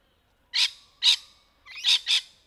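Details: Rainbow lorikeet, wild, in trees, four harsh broadband screeches in two pairs, the first pair well spaced, the second close together, over a quiet background.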